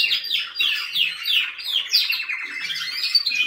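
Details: Singing canary: a quick series of down-slurred chirps flowing into a warbling, buzzy trill, bright and continuous throughout.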